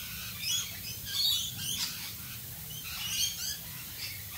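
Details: Rainbow lorikeets in Australia during rain, giving scratchy, high screeching chatters in short bursts, with a constant patter of rain beneath.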